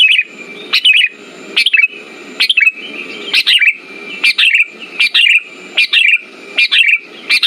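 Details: Lure song of a sooty-headed bulbul, meant to stimulate birds that have gone quiet: short bubbly whistled phrases repeated roughly every second over a constant high whine and soft low background murmur.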